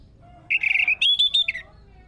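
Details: Orange-headed thrush song used as a lure to make other birds sing: one loud phrase of slurred whistled notes, rising from a lower whistle to a higher sweet warble and dropping again, about one second long.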